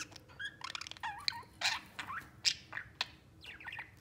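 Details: Budgerigars, three companion pets playing with each other, chatter in a busy run of twittering, warbled notes and sharp chirps, rising and falling quickly, over a soft room hum.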